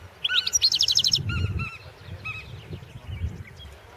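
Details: Singing European goldfinch, a 2016 World Championship in Goldfinch Song entry: an opening flurry of fast, bright twittering, then spaced, slurred high notes repeated a few times, fading to quieter chips with a low rumble behind.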